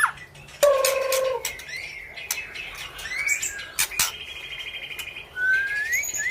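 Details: White-rumped shama of the panda type singing energetically: long pure whistled notes at varied pitches, some held level and some sliding upward, broken by sharp clicks and snapping noises.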